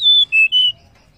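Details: Banded pitta female call used to prompt males to sing: three clean whistled notes, the first highest and sustained, then two slightly lower, each a quarter second long, with a quiet background.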